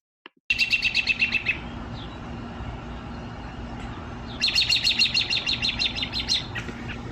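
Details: American Robin in Seattle giving its alarm call, warning other birds of nearby danger: two bursts of rapid, sharp, high chattering notes, each run lasting one to two seconds, over a faint low hum.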